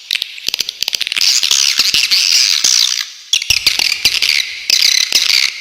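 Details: Swiftlet tutor recording with sharp trills: quick clicks lead into long, high, buzzy chattering, a brief pause, then more clicking and shrill twittering.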